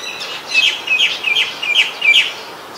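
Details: White-vented myna in Ubon Ratchathani, Thailand, 29 December 2019, giving five or six loud, squeaky, slightly upslurred notes in quick succession, each a short burst of about a third of a second.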